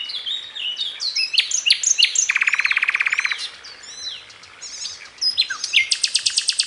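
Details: Common nightingale delivering crystal notes and sharp rasping passages: varied high slurred whistles, a dense buzzy pulsed rattle, more twittering phrases, and a final fast high rattle.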